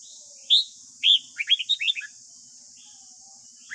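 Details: Red-whiskered bulbul of the white-cheeked type giving morning song, used to train newly caught captive young birds: two separate loud whistled notes, then a quick tumbling run of five or six warbled notes, over a steady high hiss.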